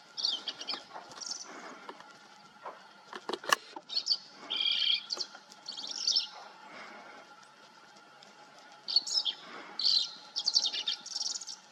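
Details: Green-tailed towhee from Texas or New Mexico brush habitat singing a series of high, chirpy, trilled phrases over several seconds, broken by pauses and one sharp click. A soft constant hum is in the background.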